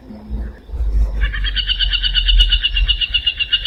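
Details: Aplomado Falcon (Falco femoralis) of the Brazilian Cerrado. A low rumble comes first, then a rapid, harsh chattering run of repeated 'kek' notes starts about a third of the way in and continues steadily to the end.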